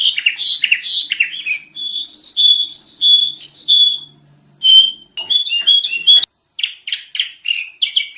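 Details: Energetic whistled song of a sooty-headed bulbul from a noisy tutoring recording: pure sliding whistles repeated in a steady series, a short pause, then quick chirpy phrases and clipped high notes.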